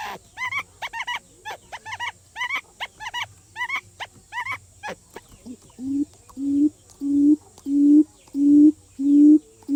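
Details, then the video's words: Lure call of a decoy quail: quick upturned chirps repeated in pairs and triplets, then a switch to deep, steady hooting notes about two per second, growing louder and very even. "Tiếng Chim Cút Mồi Kêu Chuẩn"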